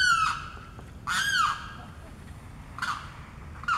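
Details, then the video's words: A Limpkin on Blackwater Lake, Eustis, Florida, calling for its mate in breeding season, gives loud, harsh, wailing screams that slur downward, four calls spaced one to two seconds apart over a faint low rumble. "The Limpkin calling"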